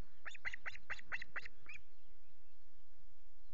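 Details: Nesting Osprey at Loch Garten on 5 July, with chicks present and the male delivering two fish: a burst of seven piercing, whistled chirps in about a second and a half, strongly harmonic and slightly falling at the end, then low hum.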